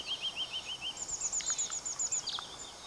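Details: Pallas's leaf warbler (Phylloscopus proregulus) near Erdenebulgan, Khovsgol Aimag, Mongolia, in July 2009, one of two singing birds: a lower series of rapid repeated notes, then a very high thin fast trill, over hiss.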